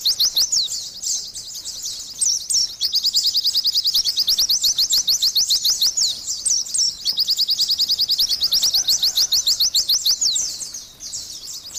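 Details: Long gacor song bout by an Oriental white-eye: dense, high-pitched twittering chirps delivered almost nonstop, with occasional brighter whistled accents, easing and fading toward the close.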